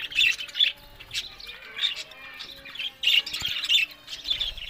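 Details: Budgerigars kept as pets give bursts of scratchy warbling and chirps, loud clusters separated by short quieter gaps, with a few sharp squawks standing out.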